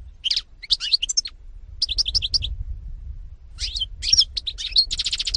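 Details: Song of a European goldfinch from 2018: bursts of quick, liquid chirps and short twittering phrases separated by brief gaps, ending in a dense run of fast high notes over a soft low background hum.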